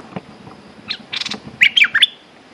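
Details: Caged Red-whiskered bulbul singing. Soft scratchy sounds come first, then a short loud burst of bright chirped notes near the end.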